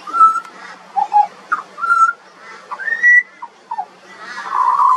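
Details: Singing juvenile pied butcherbird: a series of pure whistled notes, some steady, some slurred up or down, spaced under a second apart, ending in a louder rough warbled note.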